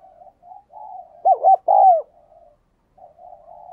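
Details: Spotted dove used as a decoy, calling in the thúc and gáy gọi bổi styles to draw wild doves. One loud coo phrase of two short hoots and a drawn-out falling note, with soft murmuring coos before and after.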